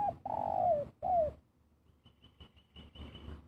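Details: Spotted dove giving the kuk dua coo: a long, loud, downward-sliding mellow note and a shorter one, followed by faint high chirps from other small birds.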